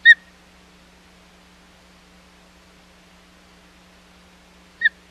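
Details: Osprey at the Hog Island nest, 25 July 2020, around a second fish delivery attempt that came to nothing: two short whistled chirps almost five seconds apart with quiet hum between.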